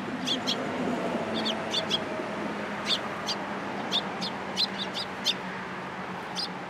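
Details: Sparrows fed by hand at a Japanese Tenmangu shrine in April 2023 make brisk high chirps, often in pairs, with short gaps, over a low steady hum and faint background noise.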